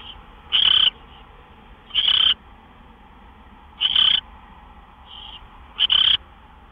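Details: Owl at its nest shortly after midnight in late March as gophers are brought in as prey; brief high-pitched calls come in a steady series, roughly every two seconds, with a quieter note in between.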